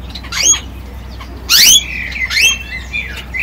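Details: Male yellow canary singing a melodic song: scattered bright chirps and rapid descending whistled sweeps, with a louder harsh burst midway and a short buzzy trill near the end, over a low steady hum.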